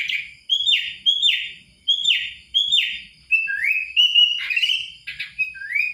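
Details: Sooty-headed bulbul singing a rapid series of short, loud whistled phrases, each a bright note sliding downward, repeated about every half second, later shifting to rising slurred whistles; a faint steady high tone runs behind.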